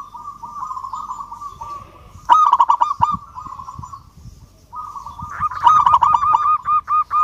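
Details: Local perkutut, or zebra dove, singing to challenge a rival. A soft rolling trill gives way to a loud sudden burst of rapid notes, then a quieter stretch, before another fast series of arched coos.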